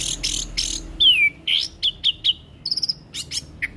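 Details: Orange-headed thrush in full varied song for training young birds: buzzy trilled bursts, a descending slurred whistle, a series of repeated short clear notes, then thin rapid high trills.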